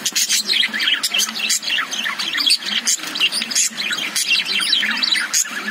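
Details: Caged lovebirds chirp and warble in overlapping bursts of shrill, twisting notes, several birds calling together in a busy, uneven rhythm.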